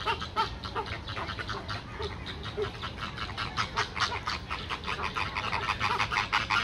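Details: Chilean flamingos at Calgary Zoo in May 2023, a flock giving rapid, overlapping nasal honks, several per second, goose-like and continuous throughout, with a constant low background rumble.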